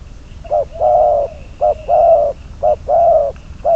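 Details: Spotted dove used as a decoy bird for trapping, calling in a steady rhythm: a short low coo followed by a longer hollow coo, the pair repeated about once a second, with a faint thin high tone in the background.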